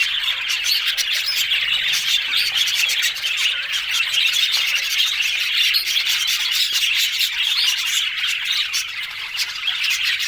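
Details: Budgerigars keep up lively chatter for a long stretch, with quick clicky chirps, squeaky warbles and squawks crowding one another at an even level.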